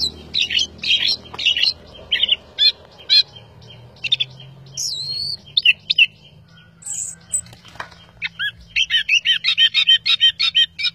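Orange-headed thrush sings lively, varied high phrases of chirps and squeaky whistles, ending in a fast run of a dozen clipped notes over a faint low hum.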